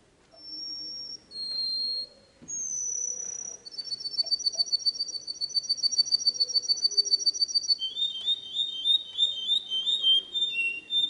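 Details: Canary song opening with long, high, sustained whistles, then breaking into a fast rolling trill that quickens, and closing on lower, rapidly repeated notes.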